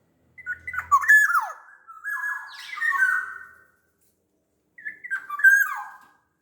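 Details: Sumbawa black-naped oriole in full song. It gives rich whistled phrases with quick down-slurs and buzzy overtones, in three bursts over six seconds, then falls silent between phrases.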